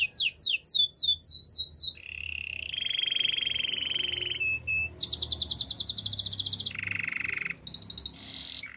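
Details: Song of the Spanish Timbrado canary, meant for training: rising whistled slurs, then a sequence of sustained buzzy trills at differing pitches, each one several seconds long, with a faint low hum behind.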